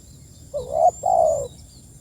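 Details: A single spotted dove phrase calling its companions, a short rising-then-wavering coo followed by a longer, steady, gently falling coo, in a quiet setting.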